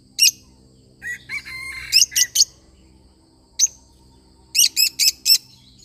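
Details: Lovebird singing; sharp, high, piercing chirps given singly and in rapid clusters of three or four, with a low steady hum underneath.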